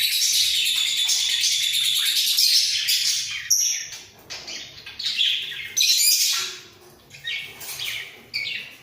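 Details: Two budgerigars in a breeding cage, nodding as they vocalize: a long scratchy, chattering warble, then choppier bursts of squeaks and harsh rasps with brief gaps.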